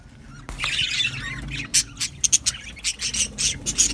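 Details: Australian budgie colony in an aviary; a soft scratchy warble opens, then a string of loud, piercing high chirps comes in irregular quick bursts.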